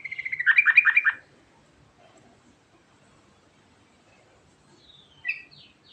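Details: Yellow-vented bulbul giving a rolling 'ngerol' song: a fast, strong burst of repeated warbled notes for about a second, then quiet and a short high chirp.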